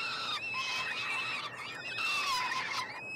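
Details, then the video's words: Young peregrine falcons, a brood of three in a Montreal nestbox, Canada, calling during a June 2022 feeding; two extended, shrill, wavering screeches that swoop up and down in pitch. "Faucons UdeM en direct / Live Stream - Karmienia " trojaczków ""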